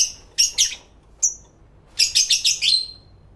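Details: Pet lovebirds calling to one another, captured live in stereo with two microphones: quick shrill chirps, a lone high note, then a fast series of five harsh chattering calls.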